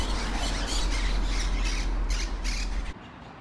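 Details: Wild feral Monk Parakeets in Brussels, Belgium, in trees around their communal stick nests, give harsh, grating squawks, roughly four a second, overlapping as a noisy chorus for three seconds over a low rumble of wind.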